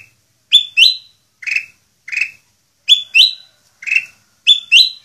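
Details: A black-crested bulbul in Indonesia sings short, bright, clipped notes in pairs and singles with even pauses between, sounding crisp and almost electronic, and no other sounds.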